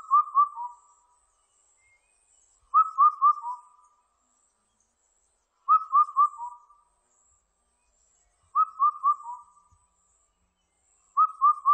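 An Indian cuckoo gives its mellow four-note whistled phrase, slightly falling at the end, repeated about every three seconds against quiet faint background hiss.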